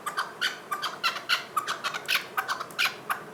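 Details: Chukar partridge calling with quick, broken series of raspy clucking notes, bunched in twos and threes at an irregular but rapid pace.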